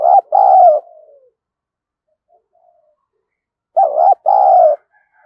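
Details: Spotted dove used as a lure for wild doves, with a thổ style voice, coos twice: a short then longer mellow phrase with a fading tail, and a matching phrase nearly four seconds later.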